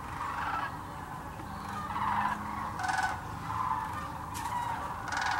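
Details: Sandhill cranes in a huge flock at a Tennessee refuge where they migrate each year; a murmuring chorus of rolling calls with several louder bursts, plus faint background noise.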